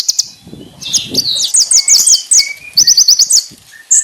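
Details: Konin master song with a lavish varied phrase: quick high zigzag notes and scratchy chattering runs, faint lower twittering, and a soft low rumble in the background.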